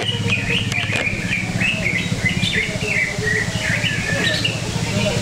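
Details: Greater green leafbird singing at a songbird contest at an arena in Cikeas: rapid chirped and whistled phrases jumping between high notes, over a steady low hum and crowd voices.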